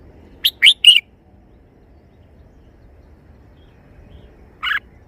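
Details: A red-whiskered bulbul sings a three-syllable phrase of clear, slurred whistles, the second note rising. After a long pause, a single buzzy note begins another phrase.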